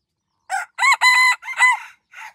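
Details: Pradu-coloured decoy rooster, Roi Et, Thailand, crowing in five to six bursts: a short start, a strong long middle and a falling end, then a faint trailing note.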